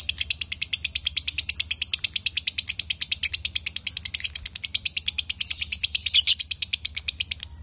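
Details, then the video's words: Male and female lovebirds in konslet-style chatter: a long unbroken stream of rapid, high, buzzy chirps, about seven per second, steady in pitch and loudness, with a faint low hum beneath. "Love Bird Jantan & Betina suaranya Bagussss"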